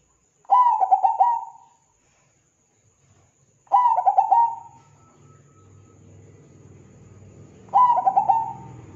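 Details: Lure recording of a zebra dove singing, meant to make other zebra doves sing: three cooing phrases about three to four seconds apart, each a burst of stuttered notes ending in a drawn-out coo, with a faint low hum between phrases.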